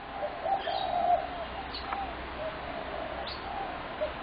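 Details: Low mellow coo from a spotted dove early in the recording, dated 21 January 2017, followed by quieter cooing and two brief high chirps from another bird.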